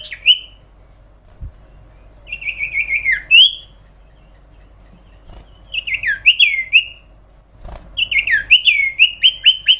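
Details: Singing sooty-headed bulbul, recorded as tutor material for cage birds: warbled whistled phrases slurring up and down, ending in a fast run of short descending notes, with faint taps in the background.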